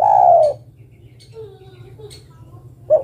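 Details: A female spotted dove calling the male ends a long, falling coo, followed by quiet faint sounds and the first note of the next phrase, over a low steady hum.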